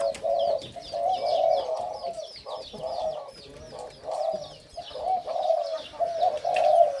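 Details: Hybrid 'sai din' line Spotted Dove kept in a cage, with the same voice as its father, gives repeated husky, even-pitched coos in phrases with brief gaps. High twittering from other small birds continues behind it.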